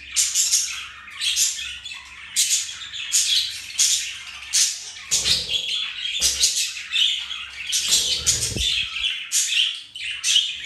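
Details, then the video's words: Pet budgerigars mating, flirting and playing: dense, continuous warbling chatter of bright chirps and squeaky notes in bursts about every second, with a brief low thump near the end. "Budgies mating , flirting and playing"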